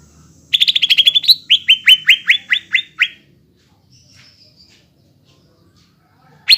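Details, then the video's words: Greater green leafbird, a constantly singing (gacor) bird used as a lure song to get untrained young birds singing: a quick run of about a dozen high, slurred, down-sweeping notes, then a thin whistle and silence, one sharp note closing. "PANCINGAN CUCAK IJO BAHAN ATAU BAKALAN AGAR CEPAT GACOR"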